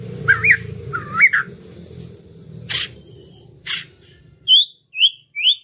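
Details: White-rumped shama song to trigger singing in birds that rarely sing. Looping whistled notes over a steady low hum, sharp clicks, then three short clear upslurred whistles spaced about half a second apart.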